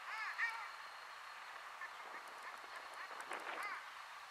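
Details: Long-tailed ducks in Dirhami, Estonia, in March 2020 give nasal, arching, yodel-like honks that overlap in a steady chorus, several birds calling at once over a soft background hiss.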